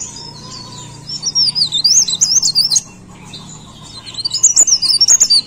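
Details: Energetic leaf warbler song: after a quiet start, a swift series of high, wavering chirps and trills for nearly two seconds, a short pause, then another burst of rapid, sharply repeated twittering notes, with a low steady hum underneath.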